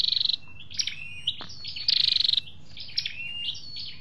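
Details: Red-whiskered bulbul recording with male and female voices, used to excite caged birds or lure wild birds for trapping. Bright, high trills of quick chattering notes in short bursts, mixed with brief whistled slurs and sharp chips.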